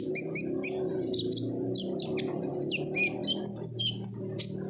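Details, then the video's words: Olive-backed sunbird giving ngobra-style lure song: fast high twittering, squeaky chips and thin whistles over a constant low hum. "PANCINGAN KONIN GACOR NGOBRA , KONIN BAHAN PASTI AKAN RAJIN BUNYI"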